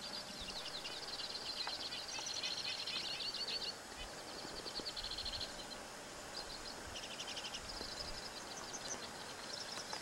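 A Two-barred Crossbill sings high, dry trills and rattling bursts, repeated in several phrases, over steady background hiss.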